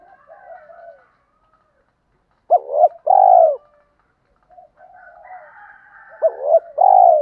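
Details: Spotted dove cooing, from a recording of male and female birds used to stir up males for training decoy birds; two loud mellow coo phrases, each a short hooked note then a longer falling coo, with faint distant cooing between.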